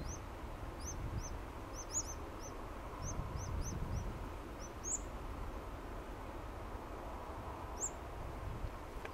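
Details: New Holland honeyeaters (Phylidonyris novaehollandiae) in Kamay Botany Bay National Park give quick runs of sharp, high chipping notes, then a few single chips, over a steady low rumble of wind or distant traffic.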